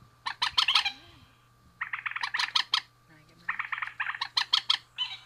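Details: Male and female rail giving dense runs of harsh, chattering notes in three long bursts, with a faint low murmur between them.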